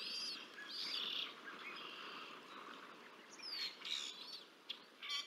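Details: Bald eagle nest at Decorah North during a feeding of two chicks, 30 March 2024: loud, high, wavering squeals and piping notes, several short sharp chirps toward the end, noisy background.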